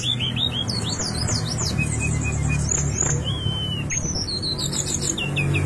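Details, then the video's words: Brown-chested jungle flycatcher singing, used as a lure to get kept birds singing quickly: continuous varied high whistles, short rising and falling slurs and quick trilled runs over a constant low hum. "pancingan srdc agar cepat bunyi dan masetan srdc"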